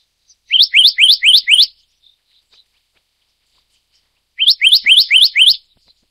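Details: Black-naped monarch, Taiwan endemic subspecies oberholseri: two runs of five clear rising whistled notes about four seconds apart, with a couple of faint short notes in the silent gap.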